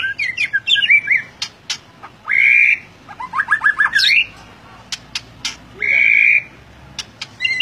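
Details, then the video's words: White-rumped shama singing in the loud ngeplong style: rapid rising and falling whistled phrases mixed with sharp clicks, broken by two long, steady, ringing whistled notes. "Murai Batu Gacor Ngeplong"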